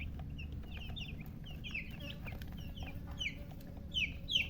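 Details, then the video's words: Chicks chirping, a scatter of short, high, falling peeps from several birds, irregular and moderately loud, with a constant low hum underneath and a louder peep cluster near the end. "silly chicken chirping sounds"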